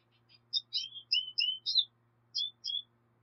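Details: Black siskin uttering a varied sequence of high sweet whistled notes and slurred chirps, some paired, in a quick irregular string, with a faint low hum beneath.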